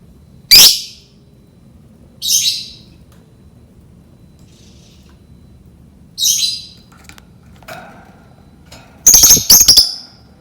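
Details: Lovebird sound meant to lure lovebirds into learning to sing: loud, harsh, high chirps in short bursts spaced a few seconds apart, ending with a quick cluster of sharp notes over quiet background hiss.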